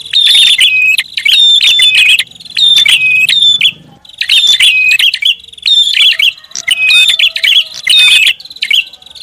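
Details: Lively prinia lure recording with dense runs of shrill chirps and quick trilled notes in two-second bursts separated by short pauses. A faint low hum appears near the middle.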